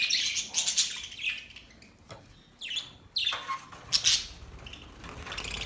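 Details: Australian budgies chirping: bursts of scratchy twitter and a few clear downward-sweeping squeaks, with quieter gaps between the calls.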